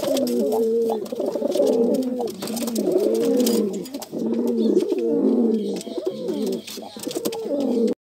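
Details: Pigeons in a fight, repeated throaty rolling coos in bursts of about a second, broken by short pauses, with flapping and clattering noises throughout.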